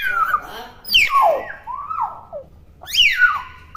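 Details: Young common hill myna, still using its natural voice and not yet able to talk, giving loud whistled notes that slide downward, a short rising whistle, then another descending whistled call near the end.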